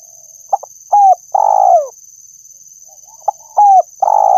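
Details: Lure recording of a spotted dove giving its three-part call twice, about three seconds apart. Two short clipped coos lead into a long, buzzy, down-sliding note. A constant high-pitched electronic tone hums in the background.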